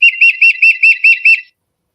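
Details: A Tufted Titmouse sings at feeders behind a store on a late-winter morning, a quick run of seven clear, high, evenly paced whistled two-note phrases, peter-peter-peter, with nothing else heard.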